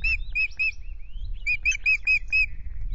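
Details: Whistled osprey calls at the Loch Garten nest during the first incubation changeover on 10 May, two eggs in the nest: three piping notes, a short pause with faint rising whistles, then a run of five similar notes.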